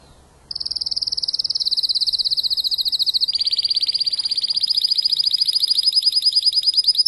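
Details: After moulting, a Spanish timbrado breeder and tutor bird slowly rebuilds its repertoire: a quick high trill starts from silence, then steps down into a broader, lower rolling tour that carries on steadily.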